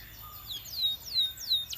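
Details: Belgian canary singing to draw other canaries into song: a few soft high falling whistles spaced about a third of a second apart over faint background.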